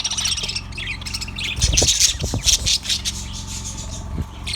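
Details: Yellow budgerigar chirping, recorded February 18, 2024: dense scratchy, buzzy chatter of rapid high notes, with low thumps and a steady background hum.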